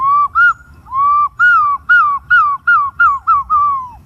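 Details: Green pigeon calling in a run of short, mellow whistled notes, each bending up and then falling, about two per second, with two longer level whistles early on; quiet surroundings.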